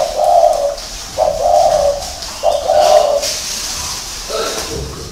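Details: Three drawn-out, throaty coos from a spotted dove, spaced about a second apart, then a fainter, softer note near the end. A faint high whistle is heard briefly in the background.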